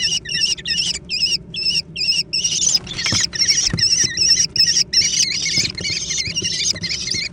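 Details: Young American kestrels in a scramble over food: rapid, choppy high squeals with warbling overtones, starting in clipped bursts and merging into continuous shrill calling, with a few soft bumps.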